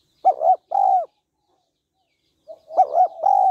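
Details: Low husky coos from a female spotted dove stimulating a male: a doubled note and a long note, then after a gap a soft lead-in murmur before the same pair returns.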